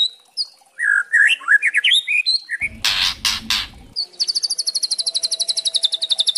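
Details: Young White-rumped shama song used as a lure track: varied rich whistles give way to harsh rattling bursts, then a fast, high trill of repeated notes at about seven per second.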